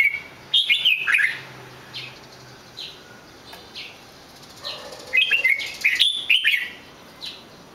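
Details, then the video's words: Red-whiskered bulbul heard more softly: a few scattered whistled phrases at the start, faint single notes in between, then a louder cluster of swooping warbles near the end. "chào mào hót cực hay"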